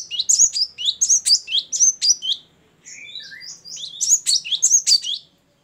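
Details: Great tit known locally as gelatik batu, singing ngeplong and gacor: a fast stream of high sweeping whistles, a softer lower interlude near the middle, then vigorous high notes again.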